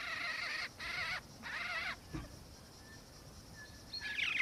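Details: Black-faced cuckoo-shrike of the melanops subspecies in Victoria, Australia, December 2019, giving three rolling, burred churring calls in quick succession, then a quieter buzzy note and faint distant whistles.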